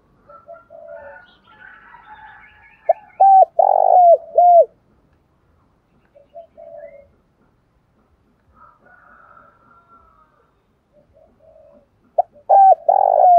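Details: Spotted dove calling as a lure for wild doves, two loud phrases of short hollow coos ending in a drawn-out buzzy note, separated by quieter, more distant cooing and chattering in between.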